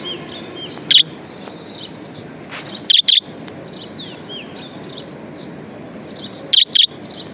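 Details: Pet budgerigar chirping: a single sharp note, then a double chirp, a pause, and another double chirp near the end, amid soft background bird twitter.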